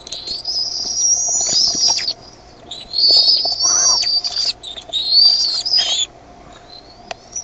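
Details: Decorah bald eaglet chicks, 13 May 2015 at 6:35 PM, noisier once a parent delivers food; three bursts of high, wavering whistled squeals about two seconds long, then quiet.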